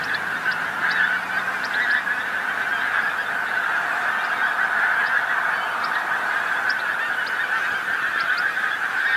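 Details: Large flock of pink-footed geese on a field beside the A149 on the North Norfolk coast, England, at sunset; a dense, continuous chorus of high honking calls with brief sharper clicks and yelps above it.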